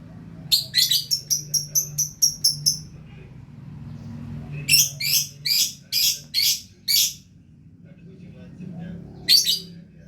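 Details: Lovebird singing a rapid series of sharp, clipped high notes, then a run of harsher chattering bursts, ending with a single short squeaky burst after a pause.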